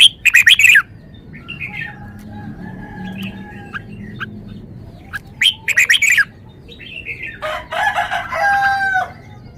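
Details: Red-whiskered bulbul showing off its varied song: quick bursts of loud sharp chirps at the start and middle, softer whistled notes in between, and a rough, buzzy passage near the end, over a low hum.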